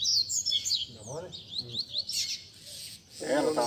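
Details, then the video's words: Caged Double-collared Seedeaters in a group chorus meant to warm up a competition singer: bright high chirps and rapid warbled notes overlapping, broken by loud male voices talking nearby. "BADERNA de Coleiros TOP - Ótimo para esquentar seu Coleiro de Roda!!!"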